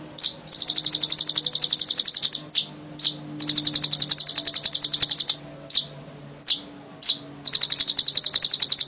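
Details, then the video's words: Energetic Olive-backed sunbird song played to coax other sunbirds to sing: long rapid high-pitched trills of evenly repeated ticking notes, each run broken by single sharp piercing chips, over a faint low background hum. "suara burung,kolibri ninja gacor,sangat cocok untuk,pancingan konin bahan"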